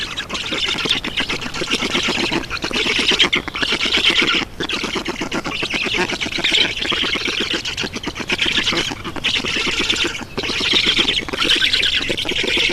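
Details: At an Estonian black stork nest on 7 June 2019, late morning, while water is brought in: rough, wheezy squawking runs on almost nonstop, rasping in quick pulses with short gaps.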